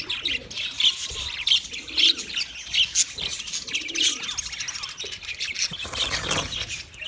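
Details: Budgerigars in steady chatter: overlapping high twittering, brief clear whistles roughly every second, and a faint lower burble beneath the flock noise.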